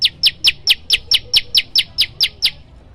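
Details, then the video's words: Rapid, evenly spaced piercing notes, about a dozen in under three seconds, each dropping slightly in pitch: the loud 'tembakan' song variation of a prenjak lumut, against a quiet background. "prenjak lumut gacor suara tembakan keras"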